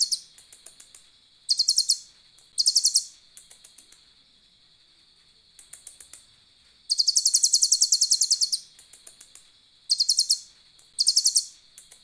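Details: Asian glossy starling singing energetically with an imitated cililin song worked in. It gives very high, rapid chattering bursts and trills lasting one to two seconds, separated by scattered sharp ticks. A constant high electronic whine runs throughout.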